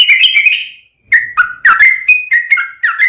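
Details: Yellow-vented bulbul in lively fighting song meant to draw replies: a bubbly opening phrase, a pause, then varied whistled notes stepping up and down in pitch.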